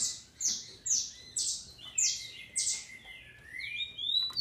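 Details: Captive female green-winged saltator from Brazil, whose song is used to stir up males: high whistled notes falling steeply, repeated about every half second, then lower sliding whistles toward the end.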